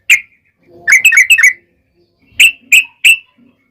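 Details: Sparse yellow-vented bulbul notes from a lure recording for other bulbuls: a single chirp, a quick burst of four bubbly notes, then three sharp, evenly spaced calls, in otherwise quiet surroundings.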